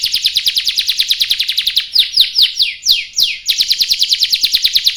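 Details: Long rolling canary song meant to prompt other canaries to answer: rapid high repeated chirps, then slower downward sweeping notes around two to three seconds, returning to a quick even trill.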